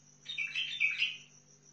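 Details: Short bubbly song phrase from a Sihani bulbul of Al-Faw, Basra: a run of fast, liquid notes rising and dipping for about a second, followed by quiet and a faint steady whine.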